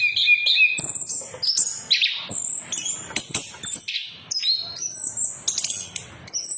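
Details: An orange-headed thrush in full ngeplong song, used as a lure for birds that have gone quiet: quick high whistles, short buzzy notes and clipped chirps follow one another in an irregular, rapid run.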